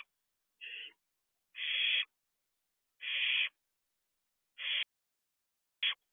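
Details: Barn owl owlet looking around outside its nest box, 4:31 am, 2 June 2023; five harsh hissing bursts, the first softer and the last clipped short, spaced irregularly over six seconds.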